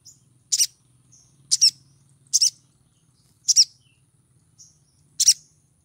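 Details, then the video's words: Female pied triller in breeding condition calling to lure males: sharp, high double chirps, about one pair per second, over a faint low hum. "PANGGILAN SOGON BETINA BIRAHI MEMIKAT SOGON JANTAN"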